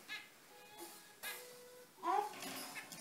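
Zebra finches give short, nasal, trumpet-like calls in three quick bursts over about three seconds, with soft steady tones between them in a quiet room.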